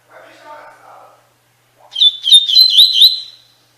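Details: Double-collared seedeater song in the Tui Tui Fibra style, used to train captive birds; a faint low murmur first, then a bright burst of quick warbled and whistled notes ending in a sustained whistle.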